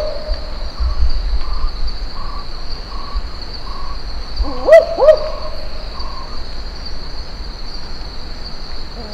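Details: Barking owl in Australia's Top End, whose strange call heard in the distance can sound like a pack of dogs. A distant, low double woof-woof comes midway, with fainter repeated notes, under a steady high insect drone and low rumble.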